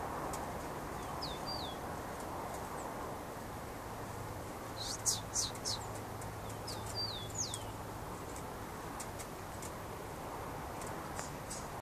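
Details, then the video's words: Rufous-collared sparrow fighting a free bird in winter, out of season: short slurred, descending high whistles in two brief phrases over steady low rumbling background noise, with faint ticks between. "Tico tico Robocop brigando com solto no inverno."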